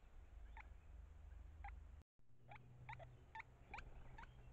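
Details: Great spotted woodpecker at its nest hole while the male and female feed hatched chicks, calling to each other: short sharp 'kik' notes, about seven of them spaced roughly half a second to a second apart, over steady low background hum.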